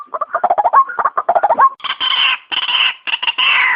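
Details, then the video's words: Trapping-lure recording of a white-breasted waterhen: a run of clipped croaks with rising hooks, then it switches to louder, higher, drawn-out harsh squawks in three long bursts. "suara ruak ruak terbaik"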